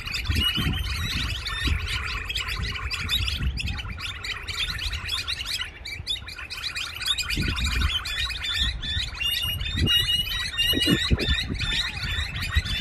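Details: Evening bird chorus with many birds chirping and twittering at once, a dense, continuous layer of short, high, overlapping notes throughout, over intermittent low rumbling thumps and background noise.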